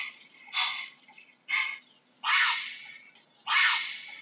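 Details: A heron gives four harsh, raspy squawks over about four seconds, each a short noisy burst with uneven gaps between them, against a quiet background.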